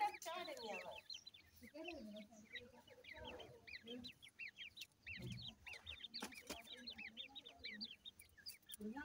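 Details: Grey francolin chicks feeding, with a female feeding the chicks: a dense stream of thin, high peeps, each rising then falling, repeated rapidly throughout, over low clucking notes near the start and some soft knocking sounds.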